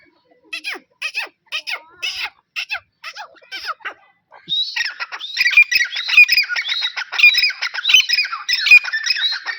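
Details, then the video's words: Grey francolins in a pair: a series of separate sharp, clipped notes about twice a second for four seconds, then a sudden loud burst of overlapping harsh, shrill, squawking calls that continues steadily to the end. "Amazing pairs dahkhni teeter/ 20 minutes sounds dahkhni teeter."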